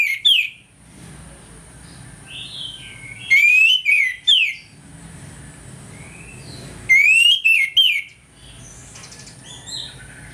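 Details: Morning ngeplong song of an orange-headed thrush, played as a lure to rouse aggression: loud rising-and-falling whistled phrases repeat roughly every three to four seconds, separated by quieter notes over a constant low hum.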